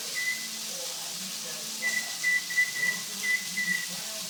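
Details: A pet cockatiel in the kitchen imitates a microwave beep with short, steady, high whistled tones repeated in a quick series.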